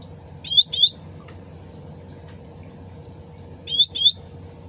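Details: Lure recording of a sooty-headed bulbul: a double whistled note, each sliding upward with a twist, heard twice roughly three seconds apart, set against a soft steady trickle of water.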